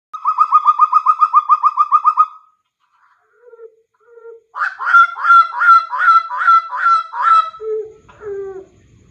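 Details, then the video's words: A tame Papuan butcherbird gives a fast run of about a dozen clear, even mid-pitched notes, then two low hoots, then a string of rich, ringing phrases and lower notes. "BURUNG JAGAL PAPUA ISTIMEWA, JINAK DAN GACOR"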